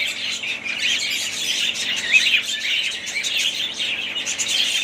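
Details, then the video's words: A family of budgerigars keeps up a steady high twittering chatter, scratchy warbles and thin chirps blending into a continuous background of many birds. "ali family budgies parrots"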